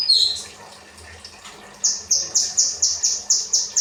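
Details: Kinoi singing rambatan-style training song for cage birds: a brief high twitter, a quiet gap, then a quick string of bright, high chirps at a steady pace.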